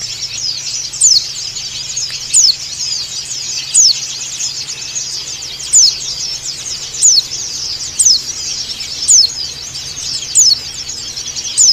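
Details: White-eye calling to a rival (dakun), ngalas style: short, piercing downslurred whistles repeated roughly every one to one and a half seconds above an unbroken wash of thin, high twittering.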